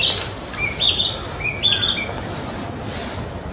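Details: Still largely brown, a young Narcissus flycatcher sings in Mizumoto Park, 27 April 2023, giving a quick series of bright whistled notes stepping between higher and lower pitches over about two seconds, then fading into soft background noise.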